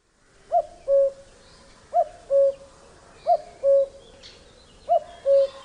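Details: A male cuckoo's spring song in Britain: the familiar two-note cu-coo, the first note higher and the second lower and longer, repeated four times about every one and a half seconds.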